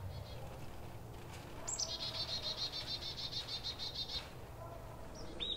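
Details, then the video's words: Chickadee alarm call warning others of danger: a thin high opening note, then a fast run of about fifteen buzzy "dee" notes, over a low background rumble. "Chickadee alarm call (16 alarm call at the end!)"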